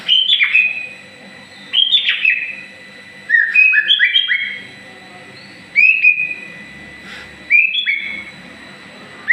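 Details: White-rumped shama in moult, growing new feathers, singing bursts of rich, clear whistled phrases with sweeping and slurred notes, each burst lasting about a second and repeated every two seconds or so, with quiet pauses between.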